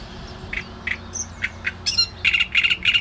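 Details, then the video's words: Great reed warbler singing: a few scattered short, harsh notes, then loud, grating chattering phrases repeated quickly in the final second, over a low background hum. "Trzciniak i jego śpiew"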